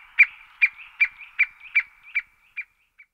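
A White-backed woodpecker gives eight short, sharp, mid-pitched notes, about two or three a second, the last ones softer and more spaced out.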